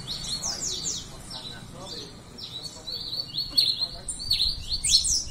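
A pileated finch sings a busy run of high, sharp chirps and quick slurred notes, delivered almost without pause over a faint low rumble.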